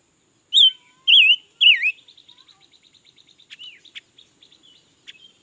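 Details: Red-billed leiothrix, noted as singing all day: three loud, undulating whistled phrases, then a rapid run of soft ticking notes and a few quieter slurred chirps.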